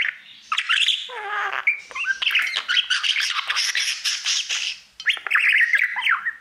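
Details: Caged budgerigar singing continuously to his mirror: scratchy, buzzy chatter mixed with squawks and quick whistled slides, one nasal harmonic squawk early on, then an unbroken stream of busy notes, a short pause, and more chirping.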